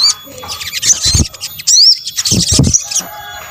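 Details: Sunbird sounds mixed for luring birds: high, scratchy twitters and a clear rising-then-falling whistle near the middle, broken by a short quiet gap and several dull low thuds.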